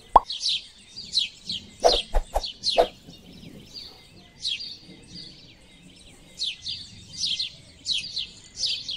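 House sparrows give bright, short chirps in loose runs about every half second, with a few sharp knocking clicks near the start.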